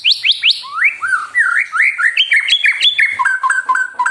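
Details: White-rumped shama sings to provoke other birds into song, with a continuous, energetic flow of rising and falling slurred whistles, stepping up and down in pitch, ending in quick repeated paired notes.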